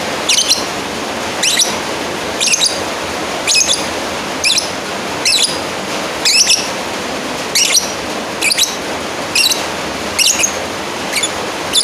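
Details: Lovebird calling to challenge a rival, a long run of about a dozen high, thin squeaking chirps, roughly evenly spaced near one per second, with soft hiss underneath.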